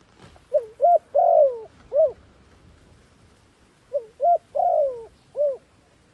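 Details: Dove kept as a decoy to draw wild doves down repeats a four-part cooing phrase twice: a short note, a clipped coo, a drawn-out descending coo and a closing rounded coo.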